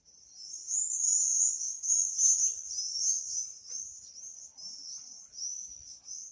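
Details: Swifts singing: dense high-pitched screaming trills in overlapping bursts, several each second, swelling and fading.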